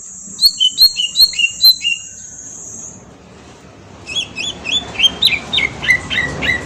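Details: Green leafbird song used as a lure to make another bird respond, from Kalimantan: runs of clear whistled notes dropping in pitch, repeated about three per second, a long steady high hiss, then a second rapid series of descending whistles.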